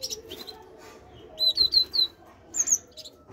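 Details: Great tit song: a quick run of three sharp, high whistled notes, then a pause and a pair of even higher, thin notes, over quiet background hiss.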